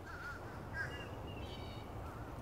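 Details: A large, social flock of fish crows high in the trees at the Florida Botanical Gardens in the afternoon gives short nasal two-note "uh-uh" caws from several birds, over steady low rumbling background noise.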